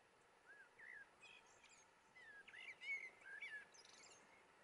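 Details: Common blackbird (Turdus merula cabrerae) in Firgas, Gran Canaria, February 2020, gives soft, fluty mid-pitched phrases that break into thin, squeaky twitters, faint against a steady outdoor hiss.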